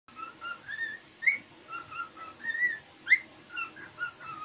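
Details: Cockatiel (Nymphicus hollandicus), song.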